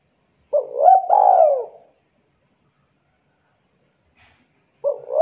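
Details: Javanese spotted dove calling vigorously, used as a lure for doves that have stopped calling: one mellow phrase of a short rising note, a longer warbling coo, then silence until a new phrase starts at the end.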